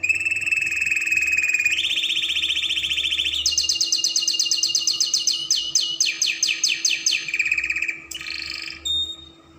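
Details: Caged Spanish Timbrado canary song used to tutor young birds: long unbroken rolling trills that shift upward, then a run of rapid rhythmic notes slowing into separate pulses, ending in short buzzy bursts and a thin whistle.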